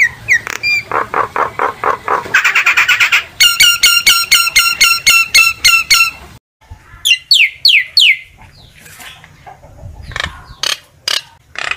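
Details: Common myna singing to call its flock: a varied run of repeated clicking notes, then rapid stacked chirps, a pause, and sharp descending whistled notes followed by scattered clicks.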